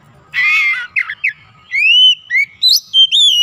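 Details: Oriental magpie-robin (kacer) being brought from a reluctant singer back to frequent, lively singing (gacor): a harsh buzzy burst, then clear whistled notes, some rising and some sliding, in quick separate phrases with short gaps, with faint low background rumble.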